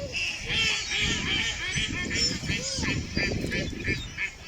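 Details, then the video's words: Ducks in a busy group, giving a dense, overlapping chorus of nasal quacks and honks, nearly three calls a second, irregular and continuous throughout. "Ducks with Natural Sound."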